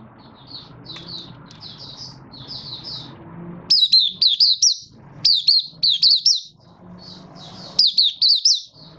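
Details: Caged Malaysian Oriental white-eye, Kitaro line, building form with a minor moult on 24 August 2023; soft twittering phrases followed by loud, sweet, high chirp bursts repeated about every second, faint low hum beneath.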